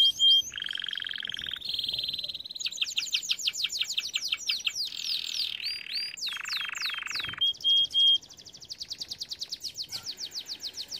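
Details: Training song of a canary, built from changing tours: low rolling trills alternate with bright series of quick downslurred whistles and a clear sustained high whistle, each tour lasting one to two seconds.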